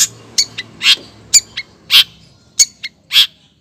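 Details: A female long-tailed shrike calls to a male with a fast, uneven series of harsh rasping notes mixed with short high chips, almost two per second, over a soft low hum.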